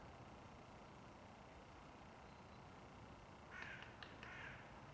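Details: A Eurasian magpie at Žale cemetery, Ljubljana, Slovenia, on 18 December 2022: harsh, rasping chatter of about three quick bursts comes late, over a steady low rumble of distant traffic-like noise.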